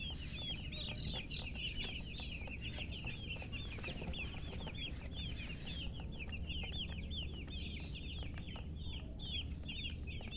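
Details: Chorus of chicken chicks with rapid, shrill cheeping, many overlapping peeps of rising-then-falling pitch repeated without pause, set against a low steady hum.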